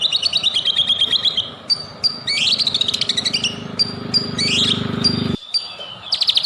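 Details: White-rumped shama singing as a lure for other shamas: high chattering trills, bright rising and falling whistles and sharp repeated high notes; a loud low drone stops partway through.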